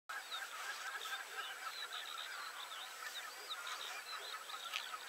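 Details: Common crane flock, many overlapping honking, trumpeting calls forming a continuous dense chorus throughout, with scattered higher squeaky notes above; no other clear sounds.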